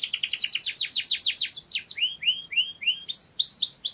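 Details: Canary singing: a fast run of sweeping high chirps, then a series of rising whistled slurs repeated several times a second, clear and loud with no background noise.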